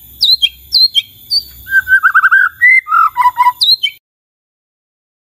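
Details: White-rumped shama in full song meant to prompt other shamas to reply: sharp rising whistles, then a rapid chattering trill and descending warbled notes, ending abruptly in silence.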